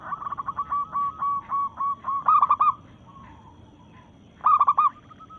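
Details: Local zebra dove challenging rivals in breeding mood: an opening run of fast, evenly repeated soft coos, then loud bubbling phrases of four or five notes, another following two seconds later.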